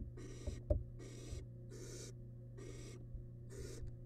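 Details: Wild barn owl nestling in a monitored nest box while devouring a large rabbit remain; faint, breathy hissing bursts repeat about every second, with a steady electrical hum and a few soft thumps and clicks.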